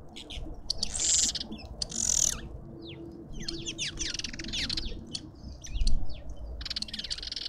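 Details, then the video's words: Shrill chattering from lovebirds visiting a suburban garden feeder in Pretoria, South Africa: two loud, piercing shrieks early on, then a run of quick rising and falling chirps and a final buzzy burst, over low rumble. "Lovebirds endlessly"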